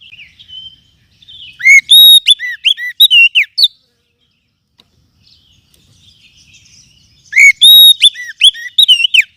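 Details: Forest oriental magpie-robin lure sound for tutoring other birds: two loud rapid runs of sweet whistles and sharp slurred notes, the runs separated by about three seconds of near silence, with faint chirps before each run.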